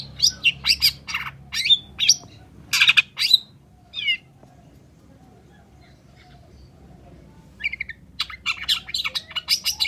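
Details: Long-tailed shrike singing actively as a lure for other shrikes: rapid clusters of harsh, scratchy chirps and short whistles, a silent pause of about three seconds, then the chattering resumes in quick repeated bursts.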